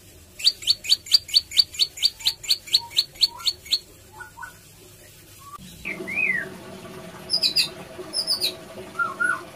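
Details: Prinia with an unusual voice: a fast string of sharp, high metallic chips repeated about four a second for several seconds, followed by scattered short upslurred and looping whistled notes.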